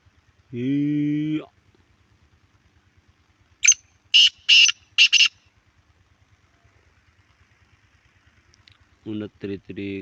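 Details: Black francolin giving a series of four rasping, scratchy notes, set between a droning, engine-like tonal sound at the start and another mechanical burst at the end, over a soft regular ticking.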